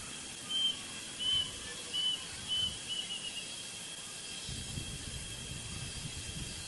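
A plaintive cuckoo gives four short, clear whistled notes, about one every 0.7 seconds, over a steady high insect hiss and a low rumble near the end.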